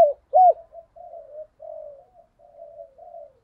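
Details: Decoy spotted dove calling to urge wild rivals into a fight, 'thổ' voice. One clear arched coo, followed by a series of quiet, low, drawn-out murmuring notes.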